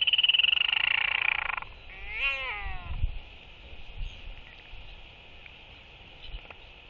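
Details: Northern royal albatross courtship display among four interacting birds, October 23, 2023, early evening. A loud, high, rasping cry fades out after a second and a half. A brief wavering moan follows, then wind.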